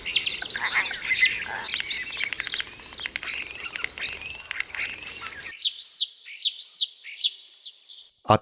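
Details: Common starling, a UK songbird and vocal mimic, sings a busy jumble of clicks, rattles and high chirps, then a run of bright, sliding whistles repeated about once a second.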